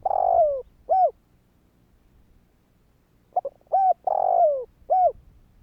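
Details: Spotted dove calling to prompt other doves to answer: a long falling coo and short coo, a pause of over two seconds, then a full phrase of soft quick notes, short coo, long descending coo and final coo.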